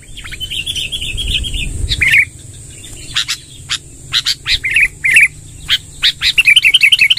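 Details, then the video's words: 'Tembakan' style song of a sooty-headed bulbul, said to roll long ('ngerol panjang'): a short warbled run, then separate sharp chirps and clicks with gaps, closing in a quick repeated trill; a steady high whine runs throughout. "suara tembakan BURUNG KUTILANG NGEROL PANJANG"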